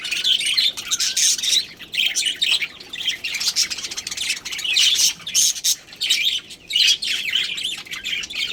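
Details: Pet budgerigar colony with a breeding pair: loud, almost nonstop squawky chirping and scratchy chatter from several birds overlapping.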